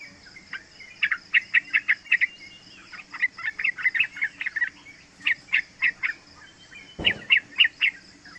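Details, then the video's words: Young yellow-vented bulbul, three months old, singing as a lure for other bulbuls: repeated runs of quick bubbly chirps in groups of four to six, one sharp knock near the end, over a steady high-pitched hum. "Panggilan trucukan muda AMPUH buat Pancingan trucukan agar bunyi ropel"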